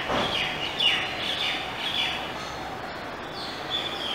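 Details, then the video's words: Purple-rumped sunbird, endemic to the Indian Subcontinent, on a flowering gulmohar tree gives thin, high chips and twittering notes, one or two a second, over a steady outdoor hiss. "Purple Rumped Sunbird"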